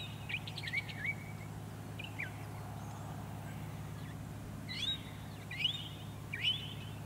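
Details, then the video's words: Singing northern mockingbird on Cape Cod, Massachusetts, on 14 October 2023: varied phrases of slurred, downward and upward sweeping whistles with short buzzy stutters, delivered in bursts with pauses, over a steady low hum. "singing N. Mockingbird"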